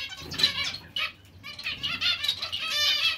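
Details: Zebra finches in a mixed finch colony giving quick nasal beeps with stacked overtones, a few loud notes standing out over a low rustle of movement.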